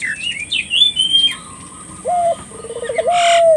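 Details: {'caption': 'Single collared dove coo used as a lure for local doves: a short flat note followed by a trilled roll and long level ending, preceded by whistled chirps of other birds.'}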